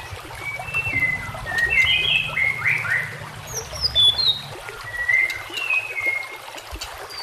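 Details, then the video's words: White-rumped shama song used as a master recording to train other shamas, set among nature sounds: scattered clear whistles and short warbled phrases at mid-high pitch, with a steady low rumbling background. "Dengan CEPAT murai batu AKAN EMOSI dan IKUT GACOR dengan masteran murai batu ini"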